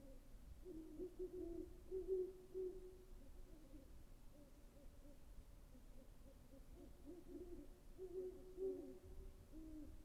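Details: Great horned owl calling with repeated deep hoots, one cluster around two seconds and another near eight seconds, fainter hoots between, over steady low background noise.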